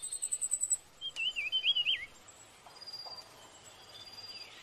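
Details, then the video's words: A sparrow with a blue head and orange plumage opens with a fast, thin, very high trill, then gives a looping whistled phrase that winds downward, followed by faint high notes over light background noise. "Blue Head Orange Sparrow Chirping"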